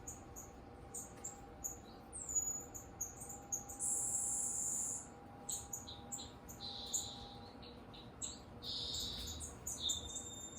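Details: Green-backed twinspot, a captive bird released with its mate into a garden aviary, sings thin, very high, insect-like notes: brief ticks, then a sustained buzzy trill, with sparse chirps following amid faint background hum.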